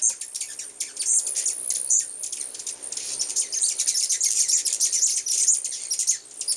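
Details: Many hummingbirds gathered in full force at a home feeding spot, giving dense, high, squeaky chips and twittering clicks almost without pause, overlapping one another throughout.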